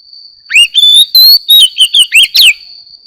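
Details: Morning song of an Oriental magpie-robin: varied loud whistles, upslurred and downslurred, quickly follow one another in a two-second phrase, with a constant faint high-pitched hum behind.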